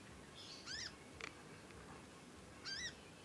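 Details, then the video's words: Young conin learning to sing, a chatty juvenile songbird: two short, arched, thin chirps with bright overtones, about two seconds apart, with a few soft clicks between them. "ANAKAN CONIN, NYECET PANJANG BELAJAR BUNYI & GACOR"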